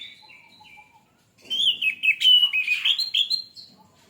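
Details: Lure recording of an orange-headed thrush meant to set off quick, steady singing: a few soft whistled notes, a short silence, then a loud, fast, tumbling burst of varied warbles and trills.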